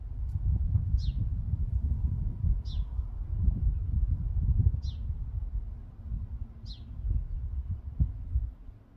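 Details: House sparrow giving four short, high chirps about two seconds apart over a low rumble of wind or background noise, while sparrows feed.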